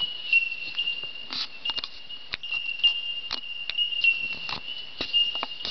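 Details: Bell Miners (bellbirds) in an Australian forest at dawn, a chorus of clear high bell-like pings repeated on one steady pitch, overlaid with sharp clicks and taps throughout.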